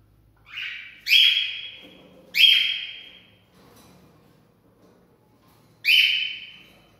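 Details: Cockatiel singing to encourage mating: four separate loud whistles, each starting with a quick rising swoop into a held bright tone and fading out, spaced one to three seconds apart, with quiet room noise between.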